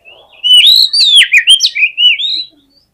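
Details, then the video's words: Fighter-style Oriental magpie-robin (kacer) song for stirring rival males to respond aggressively: one loud, rich phrase of about two seconds, with rapid slurred whistles that rise and fall and sharp trills between them. "KACER GACOR FULL FIGHTER !!! COCOK UNTUK PEMBANGKIT EMOSI KACER LAWAN AGAR NGOTOT"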